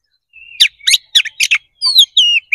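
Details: White-rumped shama singing a fighting song used to stir up rival birds; a thin whistle leads into four sharp buzzy chattering bursts, then bright descending whistled notes.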